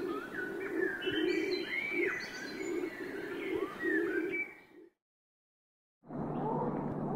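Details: Pigeons coo in a rhythmic low burble amid lively chirps and whistled notes from other birds, before a brief silence and a muffled noisy stretch.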